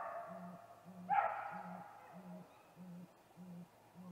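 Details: Male great grey owl calling at dusk, 8:45 pm on 21 April 2019, before visiting a snag-tree nest; deep, soft hoots repeat evenly about every 0.6 seconds, with one brief higher squealing note near the start.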